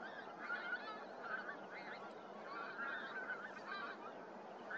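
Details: Pink-footed geese calling at Starene in 2023: clear, high, nasal 'wink-wink' honks repeated in quick pairs and triplets above a steady background of many more geese.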